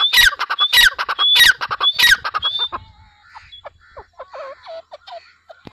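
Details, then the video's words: Four loud, harsh, whistle-topped grey francolin phrases, then the calling fades into softer, scattered chirps and notes over the last three seconds. "Teetar Awaz | Dakhni Teetar Voice | Teetar Sound"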